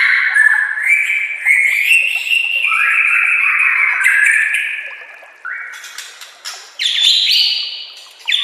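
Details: A white-rumped shama gives a master song used to train caged birds. A long rising and falling warbled whistle is followed by sharp harsh chips and bright high whistled notes.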